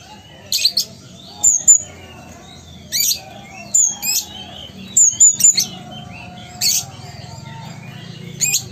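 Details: Caged ruby-cheeked sunbird from Sumatra in full song: high clear whistles, short rising slurs and scratchy buzzy bursts in irregular clusters every second or two, over a faint low hum.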